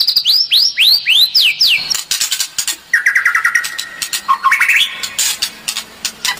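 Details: White-rumped shama in kretekan song style, meant to provoke other birds, recorded 24 January 2023: rapid rising whistled sweeps repeated several times a second, then a fast trill of clicking notes and rising slurred phrases.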